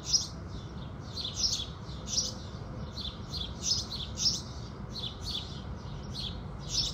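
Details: Morning chorus of house sparrows at sunrise, a string of sharp, high, twittering chirps repeated about every half second with small pauses, set against constant low-pitched background hum.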